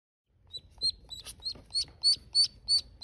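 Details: Newly hatched mallard ducklings on their first day give high, thin peeps, about three per second, growing louder through the clip over a faint low rumble.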